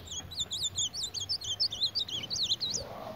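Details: Ultramarine grosbeak fighting its reflection in a mirror, giving a rapid run of high, thin zigzag chirps in quick succession, with a faint low hum underneath.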